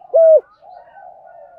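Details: A single loud hollow Spotted dove coo, steady then dropping, followed by a soft low continuous cooing murmur; recorded for luring wild doves and training caged birds.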